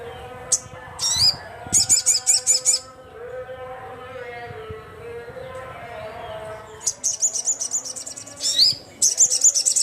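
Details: Crimson sunbird, called sogon, singing hard to call rivals: sharp chips and a squeaky rising note, then repeated bursts of rapid high buzzy trills separated by a stretch of faint background murmur.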